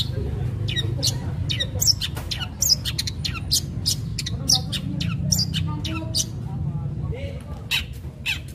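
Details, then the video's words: Long-tailed shrike in harsh fighting-style song, used to lure other shrikes into singing: dense bursts of rasping, squawky and sharp high notes, irregular and rapid, over a steady low rumble. "Cendet gacor Tarung Tajam Bikin cendet lain terpancing ikut Gacor"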